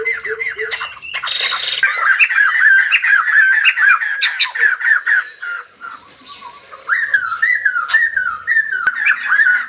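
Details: White-crested laughingthrush song, said to come with ballet-like dancing: bursts of harsh chattering notes, a quieter stretch around the middle, then a renewed string of rising, laughing phrases and a sharp click near the end.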